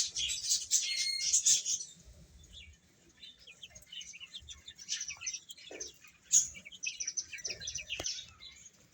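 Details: Chicks while eating: a busy spell of shrill overlapping chirps at the start, then softer, sparser peeps with occasional sharper notes.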